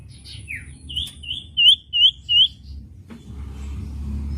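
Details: Common iora song used as a master recording for training songbirds: a few high whistled notes, then three loud rising whistles about half a second apart, with rumbling low background noise.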